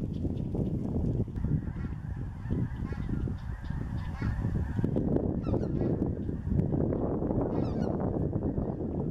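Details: Huge wild flock of about 50,000 snow geese that return each year to Mallard Corner, Arkansas: a dense, continuous roar of overlapping honks and yelps, with sharper individual honks standing out near the end.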